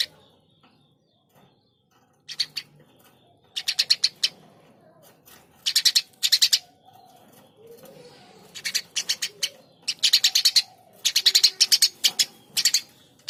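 Eurasian tree sparrow giving bursts of harsh, rapid chirps, each run lasting about half a second and repeated every second or two, with quiet pauses between.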